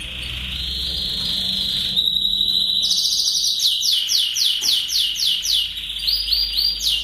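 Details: Lancashire canary from England singing as a master song for tutoring young canaries: a long sustained high whistle-like roll, then rapid repeated trills and chopped notes in quick tours, steady and loud throughout.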